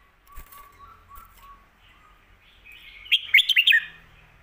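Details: Red-whiskered bulbul in a complete, fast song style for teaching young birds: soft low whistles open, followed by a loud, quick string of sharp, sweet whistled notes, with a faint low hum near the end.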